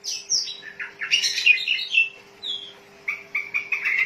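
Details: Oriental magpie-robin, a kacer used as lure and master for training, sings varied sliding whistles and scratchy notes, then a series of short repeated chirps, with a steady faint hum underneath.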